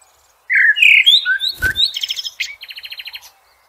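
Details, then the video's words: A common blackbird sings outdoors, a mellow, fluty phrase that climbs in pitch, then breaks into a squeaky, rapid twitter of repeated high notes, with one brief click. "sounds of the Blackbird bird in nature"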